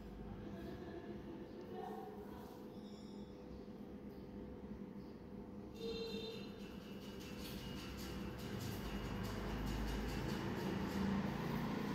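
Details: Steady low rumbling, like a train or vehicle, with faint tonal hums and brief electronic-sounding tones, growing louder toward the end; no clear animal voice.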